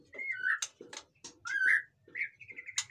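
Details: Short burst of white-rumped shama song used to stir lazy captive birds: a few smooth whistles, one swelling rising note and a wavering high whistle, broken up by dry clicks.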